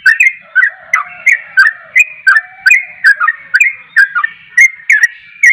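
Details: Yellow-vented bulbul, locally trucuk, singing nonstop: rapid, click-led whistled notes dropping in pitch, nearly three each second, over a soft, lower drawn-out whistle.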